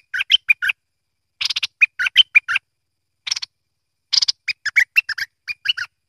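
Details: Bulbul, locally called merbah lekir or kuning, giving bright chirpy phrases of short clipped notes in quick bursts, with pauses of about a second between groups.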